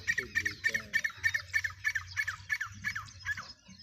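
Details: Black francolin, a full-size spirited calling bird, uttering a fast, even series of harsh, squawking notes, roughly a dozen in four seconds, over faint low background rumble and a few softer sounds at the start.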